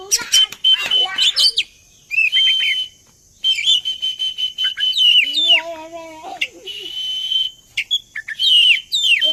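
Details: Oriental magpie-robin song played as a lure to get other birds singing along: varied loud whistles and sharp chattering notes over a long steady high tone, with a short rich, lower-pitched stacked phrase midway and brief silent gaps.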